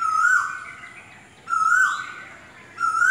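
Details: Asian koel, also called kokil, singing a loud whistled note that swells and rises slightly, then drops off. Three such notes come about every one and a half seconds against a quiet background.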